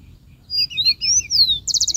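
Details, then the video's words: Song of a rufous-collared sparrow: sweet, slurred whistles, the longest sweeping down, then a quick dry trill of evenly repeated notes closing the phrase, with little background noise. "Gorrión Chingolo cantando"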